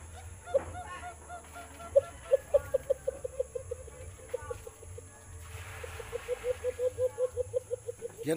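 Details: White-eared brown dove in the Philippines giving two runs of short, low hooting notes, repeated quickly and evenly, with a steady background hum.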